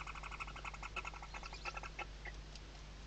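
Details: Nest webcam in the Ebro Delta, Tarragona, Spain, 2023 season: Western barn owl chicks sheltering under their mother's wings. Quick series of clicking, chittering notes, irregular toward the end with a few scattered squeaks.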